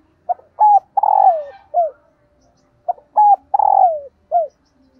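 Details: A female dove, played to stir up male doves, gives soft, mellow, low, hollow coos in a short-long-long-short phrase, repeated after about two seconds, with no other sounds.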